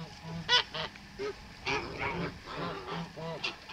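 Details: Farm male Kholmogory goose, white, hatched 2014, 7 November 2017: a series of short, clipped nasal honks, irregular and several per second at times, one sharper peak near the start.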